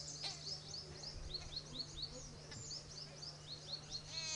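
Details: Jungle babbler, a gregarious Indian Subcontinent bird of small foraging groups: a steady run of high, short, down-slurred chirps repeated several times a second, with a constant low hum underneath and a harsher rising burst near the end.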